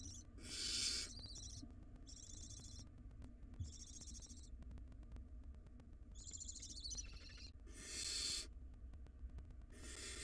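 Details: Wild barn owl nestlings in a monitored nest box tugging over a very large rodent, giving harsh broadband hissing screeches of about one second, some with a thin wavering tonal edge, in irregular bursts over a low hum.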